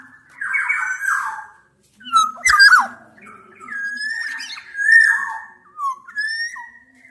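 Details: Mix of Javan and Sumbawa black-naped orioles, males and females, challenging a rival: a buzzy rasping opening, then a sharp harsh burst and flowing whistled phrases with sliding notes, with a soft low hum beneath.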